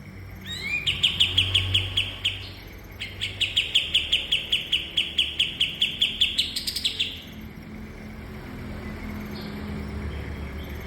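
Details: Bulbul kept as a cage bird, recorded as training song for other cage birds: rapid series of sharp, high chipping notes delivered in two long bursts of about a dozen notes each, with low background hum.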